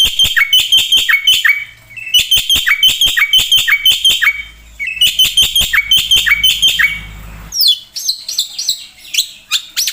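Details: Black-winged myna in energetic song full of imitations, used to tutor and provoke birds; repeated phrases of clicks and bright whistles, then harsher varied chatter near the end.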